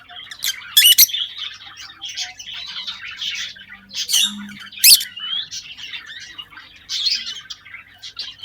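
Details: A pair of captive lovebirds at a breeding box in breeding season, 2023: steady buzzy high chatter broken by a few sharp, loud shrieks, with short rising squeaks throughout.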